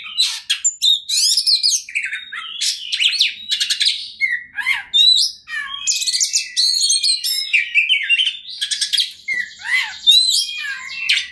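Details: Oriental magpie-robin, called kacer, singing persistently and fluffed up in agitated display, used as a lure to make rival birds sing: rich, rapid, varied song of whistles, buzzy bursts and sharp sweeping notes without pause.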